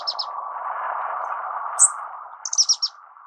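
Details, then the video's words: An orange-cheeked waxbill (Estrilda melpoda) sings thin, very high notes: a quick pair, a lone sharper note, then a rapid run of four or five, over a steady background hum. "橙頰梅花雀/Orange-Cheeked Waxbill(Estrilda melpoda)singing"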